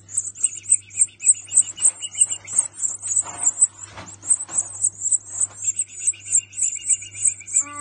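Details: {'caption': 'Goldfinch chick in Australia begging while being fed: rapid, high-pitched chirps repeated about three or four times per second, with a lower twittering series in parts and faint background hum.'}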